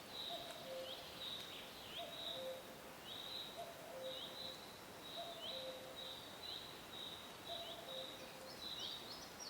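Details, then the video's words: Cuckoo calling in a forest: a soft two-note 'cu-coo', the first note higher and the second lower, repeated about six times at steady intervals, over a constant high chirping and buzzing background from other birds or insects. "Cuckoo Birds Chirping Sound"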